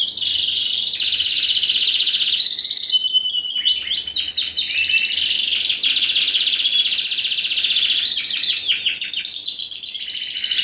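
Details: Continuous dense canary song from a first-generation Spanish Timbrado × wild canary bred in 2015: rolling, rattling trills run almost without pause, shifting between slightly higher and lower tours.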